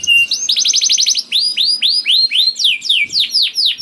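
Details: Canary song used to stimulate other canaries: a short high whistle, a tight burst of rapid trilled notes, then loud, well-spaced downward-sweeping whistles about four per second.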